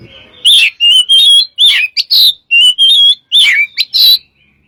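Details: White-rumped shama song for luring other birds: clear whistled phrases with slurred rising and falling notes, delivered in quick bursts about every half second.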